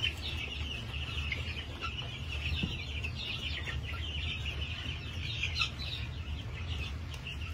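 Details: Farm flock of New Hampshire chickens, 22 March 2021, producing an unbroken stream of shrill chirps and clucks from numerous birds, a low mechanical-sounding hum beneath.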